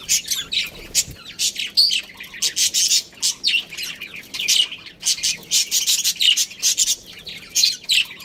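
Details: Budgerigar breeding pair kept as pets, giving dense, continuous high chirping and chattering in rapid bursts throughout, with brief squawky notes mixed in.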